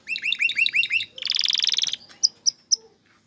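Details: Male canary singing to get a female ready to mate and build a nest; repeated upswept whistles, then a fast buzzy trill, ending with three sharp isolated chips.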